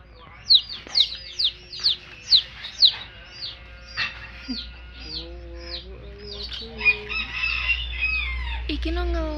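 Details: Baby chicks peeping in a rapid run of high falling chirps, then softer peeps alongside lower drawn-out tonal calls and a rising rumble of background noise.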